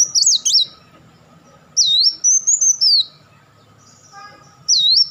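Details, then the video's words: Kolibri wulung sunbird delivering rapid chattering bursts; high, looping whistled phrases with sharp up-and-down sweeps come in three separated bouts over a few seconds, with quiet low hum beneath. "crecetan dan tembakan beruntun Kolibri Wulung"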